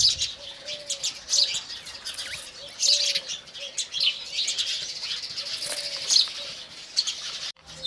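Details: Morning chatter of Indian house sparrows, many short bright chirps crowding together in loud bursts, with steady high twittering throughout and a brief drop to near silence at the very end.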